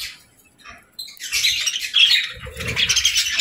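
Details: Evening play among budgies: after a quiet start, a rush of scratchy, warbling chirps builds and keeps going, with low bumping and wing-flutter noises from the birds moving about.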